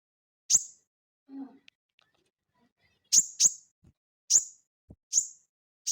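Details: Crested jay giving ngeleper-style calls, used to tutor cage birds: a series of sharp, snapping high clicks, sometimes paired in quick doubles, with a brief low knock and near silence between notes.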